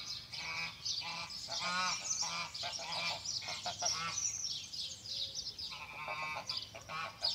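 Several geese honk in a steady, overlapping chorus of harsh, nasal calls, a few each second, with brief pauses between bursts.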